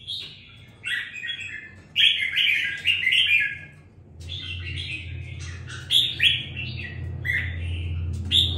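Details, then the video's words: Red-whiskered bulbul kept in a cage, beginning to sing with some fire after two weeks of raising, pours out chattering warbled phrases in quick succession while a low droning hum grows in the background. "sau 2 tuần nuôi dưỡng em nó đã ra giọng có chút lửa"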